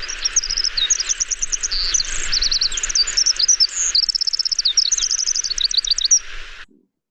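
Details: A Pacific Wren, a Lake Tahoe bird, sings a long, frenetic, very high stream of rapid, mechanical, machine-gun-like trills and tinkling notes, holding its pitch rather than falling, for about six seconds.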